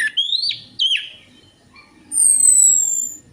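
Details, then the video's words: Orange-headed thrush song played as a lure to coax a silent bird into singing. Two quick rising, buzzy warbled phrases are followed by a quiet pause, then a clear, high, gently falling whistle held for about a second. "DENGAN PANCINGAN ANIS MERAH AMPUH INI, ATASI SUSAH BUNYI ANIS MERAH"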